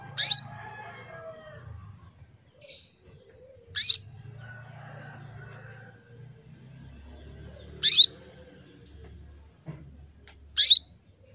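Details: Female canary in breeding condition calling males: short, piercing, downward-slurred chirps repeated at irregular intervals of about three to four seconds, with faint fainter chirps and low rumbling background noise between them and a steady high hum.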